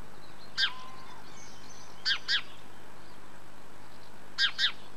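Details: Common swifts divebombing a nest box under the eaves of a house in Van, Llanidloes, Wales, on a June morning around 9am; short harsh buzzy screams, single then paired, in three bursts over five seconds.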